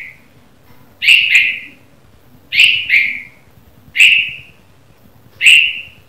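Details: Red-vented bulbul giving morning chirps: a series of bright, sharp calls, mostly paired notes with one single note, repeated at intervals of about one and a half seconds against a soft low hum.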